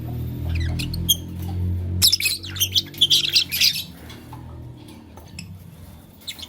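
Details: Lovebirds, Fischer's and masked lovebirds, chirping in the morning: a burst of harsh, rapid squawks and chirps packed together for about two seconds, with scattered sharp chirps before and after over a low indoor hum.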